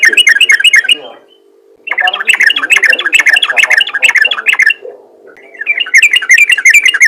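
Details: Yellow-vented bulbul in 'ropel ngalas' style, a lure call for other bulbuls: harsh, busy chattering phrases with a brief gap between bursts and a faint low background hum.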